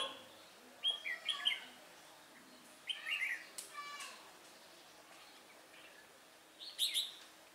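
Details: Caged decoy red-whiskered bulbul singing to lure wild bulbuls into a trap, recorded 24 June 2018. It gives three short bursts of bright, warbled whistled notes, each about a second long, separated by pauses of roughly two and four seconds, against a quiet background.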